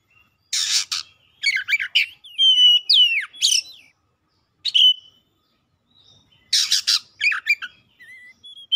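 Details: White-rumped shama in full, heated song: loud varied phrases of clear rising and falling whistles mixed with harsh buzzy bursts, delivered in bursts separated by short pauses.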